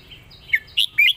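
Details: Brief fragment of a competition red-whiskered bulbul's master song: two or three bright, slurred whistled notes over faint background chirping.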